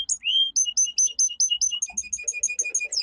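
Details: Song of a domestic canary, descended from the Canary Islands finch: one rising whistle, then a brisk run of sharp high chirps repeating quickly, softer lower twittering near the end.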